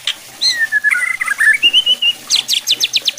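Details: Song of a white-rumped shama, meant to provoke other shamas into aggressive singing: a clear whistled phrase sliding and wavering, then a quick burst of sharp repeated high notes.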